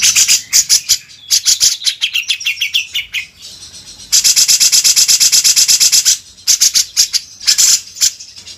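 Grey-cheeked bulbul pouring out high, buzzy chatter and very rapid rattling trills in bursts, with a quick falling run of notes and brief pauses between phrases.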